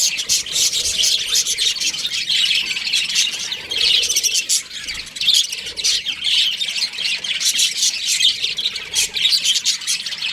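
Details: Baby budgerigars in an aviary: dense, continuous high chirping and squawky chatter from many birds at once, overlapping rapid notes with brief louder bursts throughout.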